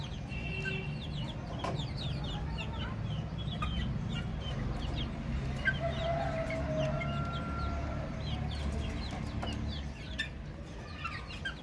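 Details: A group of baby chicks chirping continuously: many brief high downward peeps, about two per second overall, with a few sustained lower tones among them.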